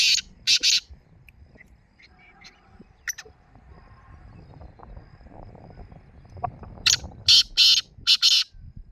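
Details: Black francolin calling in the morning: loud harsh grating notes, a pair at the start, then after a quiet stretch with faint distant birds a run of four rasping bursts near the end.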